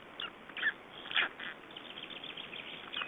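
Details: Three-day-old Black Stork chicks in Estonia, 2012, giving short, high, chirping peeps in scattered bursts, a few louder notes standing out over a steady background hiss.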